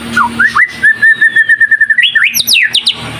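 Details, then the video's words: White-rumped shama in lively 'gacor' song, used as a lure to make other birds sing: brief rising whistles, then a long run of evenly spaced clear whistled notes on one pitch, ending in quick rising and high sweeping phrases. "Pancingan Murai Batu Gacor"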